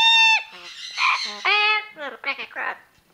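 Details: Ten-year-old female Amazon parrot mimicking speech: a loud, sustained nasal tone, then a run of choppy, squawky, word-like syllables fading out.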